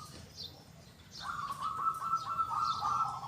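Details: After a quiet second, a local zebra dove breaks into a sustained rolling, trilled coo with a big, clear 'kung' voice, while high chirps of other birds sound faintly.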